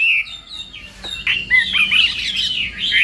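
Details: Chinese hwamei, morning voice training for song contests: a few clear whistles, a brief pause, then an energetic burst of tangled, varied whistled phrases.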